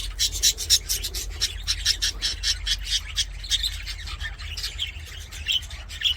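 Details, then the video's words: Budgies at play in an aviary give quick rasping, scratchy chirps in fast irregular bursts, several birds warbling together above a steady low hum. "BUDGIES SINGING PLAYING"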